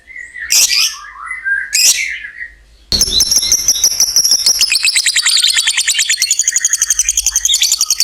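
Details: Lovebird heard in long ngekek song meant to stimulate other lovebirds: two separate harsh chirps with pauses, then a continuous fast, piercing trill of regular pulses lasting about five seconds.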